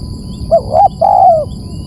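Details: A single spotted dove phrase, used as a lure: two short rising coos then a sustained, gently falling coo, against a faint steady whine.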